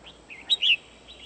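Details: Red-whiskered bulbul used as a decoy to trap wild birds, recorded 12 December 2020; a brief, sweet chirped phrase of a few slurred notes, with a faint steady high hiss throughout.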